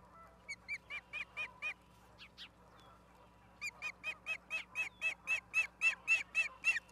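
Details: Ospreys at Charlo, Montana, recorded 09/11/2023 at 16:04: two runs of clear, ringing chirps. The first is short and halting. After a pause, a long steady series repeats about four times a second and grows steadily louder.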